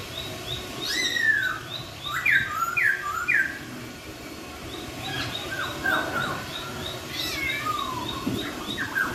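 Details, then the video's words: Laughingthrush singing a sweet song that sets other laughingthrushes answering: sharp downslurred whistled notes in quick groups of three or four, pauses between bursts, and a faint regular high-pitched ticking behind. "KICAUAN POKSAY YG MERDU MEMBUAT POKSAY LAIN LANGSUNG NYAUT"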